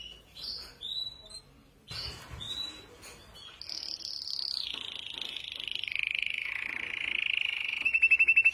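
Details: Softer canary singing from a group of five in a training song: brief whistled notes, then a long gliding whistle that slowly falls in pitch and ends in a quick trill.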